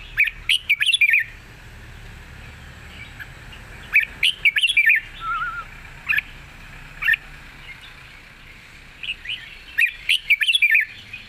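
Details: Caged red-whiskered bulbul from Thailand, noted as singing readily in a long song with 'rik': bursts of lively, chattering whistled phrases return about every three seconds over a faint steady hiss.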